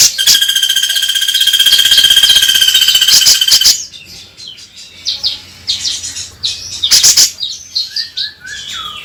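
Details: Grey-cheeked bulbul, used to prompt the bird into singing: a long harsh buzzy call held for several seconds, then scattered short rising chirps and clicks.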